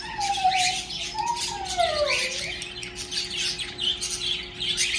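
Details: Household birds kept at home, singing cheerfully after waking in the morning: a dense, busy stream of high twittering chirps throughout, with a lower, sliding whistled note drifting downward over the first two seconds.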